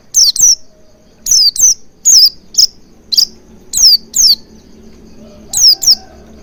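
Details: Lure recording of an Oriental white-eye to encourage singing: high thin downslurred chirps, often in quick pairs, repeated through several seconds over a soft low background hum.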